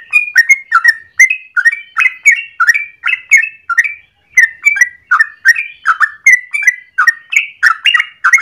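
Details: Long continuous morning song of a yellow-vented bulbul, the 'ropel panjang' style, used as a master for training birds. Fast gurgling whistles rattle on, break briefly at about four seconds, then resume just as densely.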